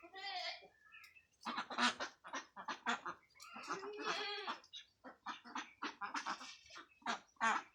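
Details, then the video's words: Farmed ducks at a duck farm in West Bengal, India, a flock quacking loudly in overlapping nasal bursts, some calls drawn out and harmonic, others short and clipped, repeated through the recording. "Duck Sound"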